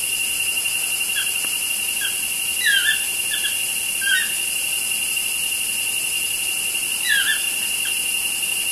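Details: Pair of toucans calling outside a studio window, giving scattered brief squeaky yelps that drop in pitch, some doubled, spread across the recording, against a steady shrill background hiss.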